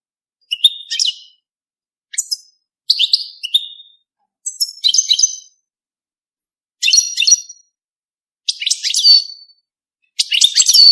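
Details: Goldfinch mating song in short separate phrases, each a crackly, tinkling cluster of high twitters, about seven phrases spaced a second or two apart against a silent background.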